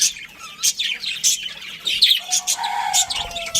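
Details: Budgerigar colony with a breeding pair, quick chirps and a brief warble, followed by a steady, faint whistled tone in the background.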